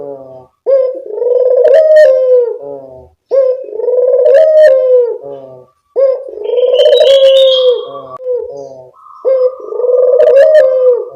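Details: Barbary dove cooing, played as a lure to attract birds: four loud, low, sustained coos in steady succession, each around two seconds with a gurgling finish, and a faint high whistle in the background.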